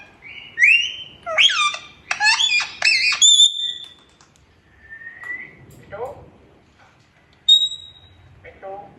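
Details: Pet parrot talking, saying "mian mithu": squawky, speech-like syllables and rising whistled notes, then a long pause with a faint slide and one sharp high whistle, indoors.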